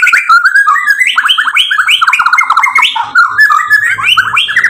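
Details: White-rumped shama, a provoking song meant to excite other shamas: dense rapid run of varied whistled and chattering phrases, rising and falling notes strung together without pause.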